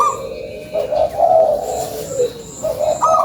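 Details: Local zebra dove giving a lure song: a low, mellow cooing phrase that breaks into a brief higher note at the end, with faint, steady high chirps from other birds repeating in the background.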